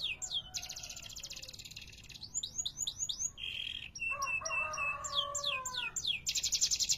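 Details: Canary (kenari) with long rolling song, alternating dense high buzzy trills, series of sharply falling whistled notes and a lower gliding warble near the middle; steady background hum.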